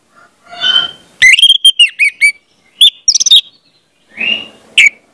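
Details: Orange-headed thrush song played to get young birds singing: quiet warble, then a rapid loud chain of sharp whistled notes, another clipped burst, a soft buzzy phrase and one final sharp note.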